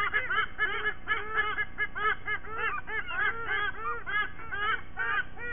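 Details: Morning duet of a white-bellied sea eagle pair, with their chicks joining in, at a nest in Sydney Olympic Park, Australia, 29 September 2023. Fast laughing honks and yelps rise and fall, fading slightly toward the end.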